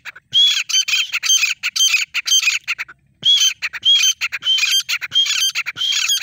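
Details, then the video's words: Female grey francolin, locally called Desi Teetar, giving loud harsh calls in quick runs, each with a sharp high whistled note. A short pause breaks the series midway, and it then resumes at the same pace. "female sound teeter voice Desi Teetar"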